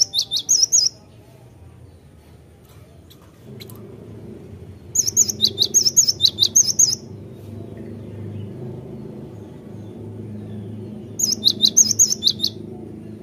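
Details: Actively singing cinereous tit delivering three separate phrases of rapid, high, repeated chirping notes, each lasting about two seconds, with long pauses between them over a steady low rumble.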